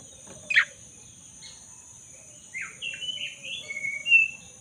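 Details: Black-throated magpie-robin singing in full, lively form, used to restore a bird that has stopped singing: a harsh burst, brief pause, then a chain of whistled notes ending on a bright high whistle.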